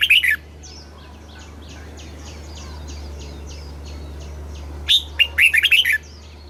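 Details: Caged red-whiskered bulbul in southern master-style song, played to stimulate birds and teach young ones. One short burst of loud notes, a long stretch of soft, rapid, repeated distant calls, then a bright six-note warbled phrase.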